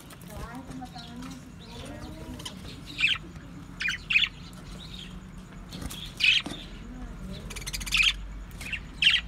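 Budgerigars give short, scratchy chirps in bursts every second or two over low background murmuring.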